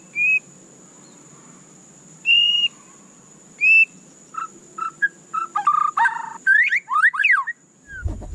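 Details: Caged white-rumped shama, played to get other shamas singing actively: three clear, spaced whistled notes, then a run of varied short whistles and quick rising and falling swept notes; a steady high whine runs throughout, with a thump at the end.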